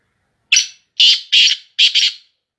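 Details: Black francolin, Sindhi Shadidi breed, giving its harsh call: a short rasping note followed by two longer grating notes and a final doubled burst, clean and loud with no background sound.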